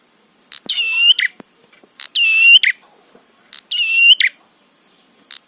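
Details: Prinia song meant to provoke other prinias: three loud, rasping buzzes, each half a second long with a click before and a harsh note after, evenly repeated, with the start of another phrase at the end.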